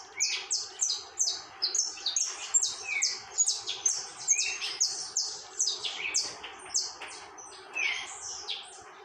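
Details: Continuous saffron finch song, a busy string of high, sharply descending chirps delivered in rapid uneven bursts, with an occasional lower slurred note, the bird singing without pause.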